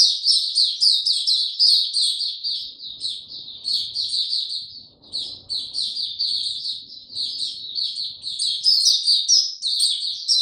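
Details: Kept white-eye, given no health supplements, singing in low-energy form on 29 April 2022: a long, fast, high-pitched twittering warble of tightly packed chirps running almost unbroken for ten seconds, with faint low background rumble.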